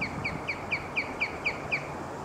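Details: Osprey recorded at UCR Agricultural Operations, giving a series of eight short, sharp, downslurred whistled chirps, about four per second, over a soft background hiss.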